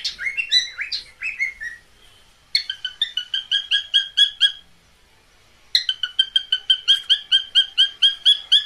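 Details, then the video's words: Cockatiel mating call from caged pet birds: a few sliding whistles, then long trains of short rapid chirps repeated about two per second, separated by a silent gap. "Cocktail birds meeting call sound."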